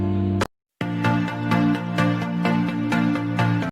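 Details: Electronic music with a steady beat and sustained tones after a brief silence; no animal voice is heard.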